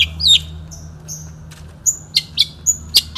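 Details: Long-tailed shrike, a 2016 national champion in the 'satu titik' singing style, giving thin high whistles and sharp short chips with pauses, over a faint low hum.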